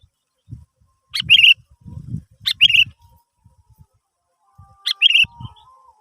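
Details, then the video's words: Sooty-headed bulbul phrases used to prompt other birds to sing: three short calls spaced over a second apart, each a rasping burst ending in a bright, clear note, with soft low thumps in between. "Pancingan Burung kutilang"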